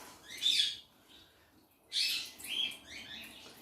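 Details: Pet birds, including an African grey parrot, sing indoors in a kitchen with shrill high chirping flurries: two loud bursts about a second and a half apart, with softer twitters between them over a quiet room.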